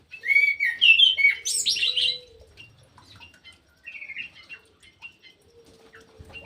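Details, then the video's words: Ground thrush (punglor jali) singing vigorously in an aviary: an opening loud tumble of warbled, slurred whistles, then sparse soft chirps and a short whistled phrase, with a faint low hum. "PUNGLOR JALI GACOR"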